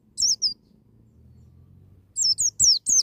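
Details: Wild-style 'ngalas' white-eye song meant to provoke young birds into opening their beaks: two sharp, high descending chirps, a quiet gap with a low murmur, then a fast run of four piercing slurred notes.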